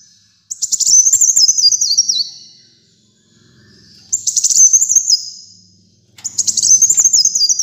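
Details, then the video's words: Kolibri muncang sunbird singing vigorously, recorded as a training track for caged birds: three high, thin bursts of rapid chattering notes that slide downward in steps, each lasting over a second with short silent gaps between. "Kolibri Muncang Gacor Dor"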